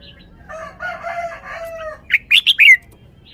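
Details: Red-whiskered bulbul showing its song phrasing in a wild-style song: a quick run of four loud, slurred whistled notes near the end, after a rooster's long harmonic crow.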